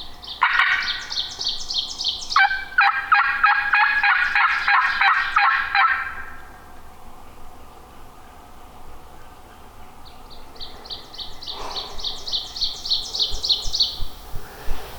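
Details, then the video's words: Wild turkey gobbler answering from a distance in Minnesota hill country, the same bird from the morning: long bouts of fast, rattling, evenly pulsed notes lasting several seconds, a quieter gap, then another rapid rattling series. "should have heard that from where he's at that's the same one from this morning"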